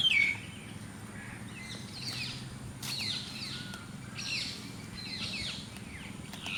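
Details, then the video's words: Myna birds calling in the evening in a village setting with grass: scattered short chirps and squeaky notes from several birds, one louder whistled note at the start, over steady low rural background noise. "myna birds"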